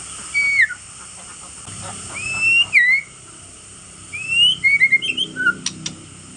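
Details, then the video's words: Male white-rumped shama with fierce clicking song, used to agitate other shamas: rising and falling whistled notes, then a quick burst of short chirping notes and a pair of dry clicks. "pancingan murai untuk menaikkan emosi kretekan ganas"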